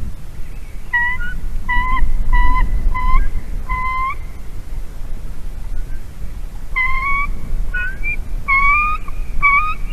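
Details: Female white-tailed eagle at a nest in Latvia, calling as the male arrives with a carp on 22 March 2019: series of high, clear yelping notes in two bursts, each of four to six evenly spaced calls, over low wind rumble.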